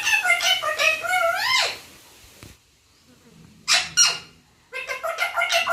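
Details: Parrot talking and mimicking the word "papa": rich, harmonic, speech-like phrases with a rising inflection, a pause, two short raspy bursts, then more voiced, rhythmic syllables.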